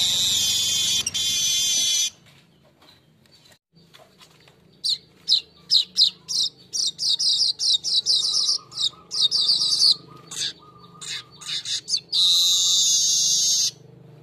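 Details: Golden-headed weaver song used as a lure for training cage birds: a dense buzzy sizzle for two seconds, then a run of sharp high chips and short buzzes, ending in another long buzzy sizzle.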